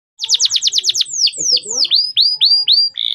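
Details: Male canary singing clearly, used as a tutor to train young canaries: a fast run of about eight downward-sweeping notes, then longer drawn-out slurred whistles and a series of rising whistled notes ending on a buzzy trill.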